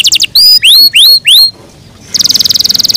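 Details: Caged canaries in the morning: a few quick high notes, three loud upswept whistles spaced evenly, a brief pause, then a rapid, metallic trill of repeated high notes.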